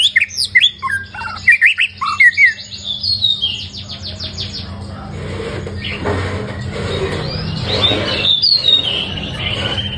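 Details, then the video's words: White-rumped shama in its first moult season, singing a varied string of quick whistled and twittering notes for a few seconds, then fading into a steady background hum and noise. "Choè lửa 1 mùa lông hót cực hay , nghe là hót 100% ."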